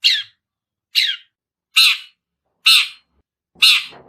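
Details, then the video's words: Long-tailed shrike practising chick-like sounds: five harsh, squeaky high chirps spaced roughly one second apart, each a brief rasping burst, with a faint low rustle near the end. "Suara burung cendet belajar bunyi piyikan"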